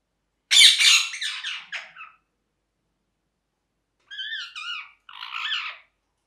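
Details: Parrot giving one loud, grating screech that fades over about a second and a half, then after a pause a few wavering, whistled, downslurred chirps and a short raspy note.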